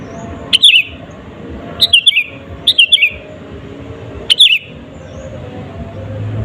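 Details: Sooty-headed bulbul, recorded as a lure to provoke rivals, giving short bubbly whistled phrases of two or three falling notes, four bursts in six seconds with quiet gaps, soft background hum.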